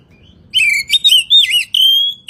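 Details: Kacer (Oriental magpie-robin) masteran song for morning and evening; a short warbling phrase of looping, slurred whistles that ends in one long, steady, level whistle.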